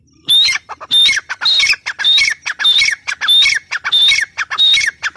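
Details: Grey francolin giving a loud, strident run of grating calls, each topped by a shrill whistled note, delivered in quick regular succession, roughly three paired bursts every two seconds, against a quiet background.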